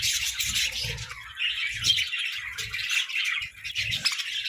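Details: Pet parakeets competing for treats: busy high chirps, squeaks and chattering overlap continuously, accompanied by soft repeated low thumps.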